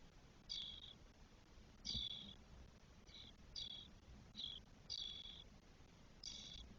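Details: Begging nestlings of spotless starling, four chicks on day 12 in a Spanish nest, 1 June 2022. Short, scratchy, hissing squawks come in irregular bunches, about eight in seven seconds, some doubled.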